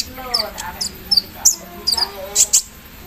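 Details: Javan sunbird set out in morning dew, singing with an embroidery-machine-style filler: scattered thin, high, falling chips and short sharp notes, with faint lower warbling in the background.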